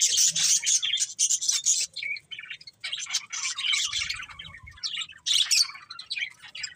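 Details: Budgies chattering with loud high scratchy warbles and rapid twitters, occasional clearer whistled chirps, steady busy flock chatter with a faint low thump midway.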